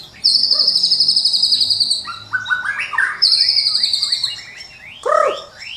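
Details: White-rumped shama in full song, used as a morning training lure for birds. Two long, very fast high trills are each followed by a run of rising whistled notes, and the clip ends on a loud, swooping lower phrase.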